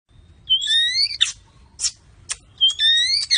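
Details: Medan-type white-rumped shama with mottled plumage, called exotic: two high, rising, double-toned whistles, each followed by a harsh burst, with short rasping notes between them.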